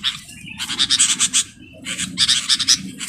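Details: A captive sooty-headed bulbul used as a trapping decoy fights a wild bulbul, giving harsh, raspy squawks in two rapid bursts of quick, scratchy notes over a faint low rumble.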